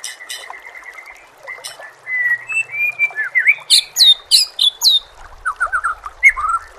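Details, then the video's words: White-rumped shama song in a training recording with natural sounds: level whistles build into quick, varied phrases, including high sweeping notes, with short chirps and faint low rumbling near the end. "murai batu anda dengar suara MASTERAN burung seperti ini"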